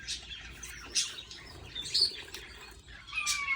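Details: Young budgerigars being fed by a parent, uttering brief hoarse, wheezy chirps in uneven bursts, ending with a thin falling whistle.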